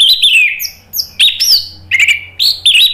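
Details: Orange-headed thrush singing full, loud 'ngeplong' lure song meant to prompt other birds to reply: rich whistled phrases sliding downward, interleaved with sharp high chips, delivered almost without pause.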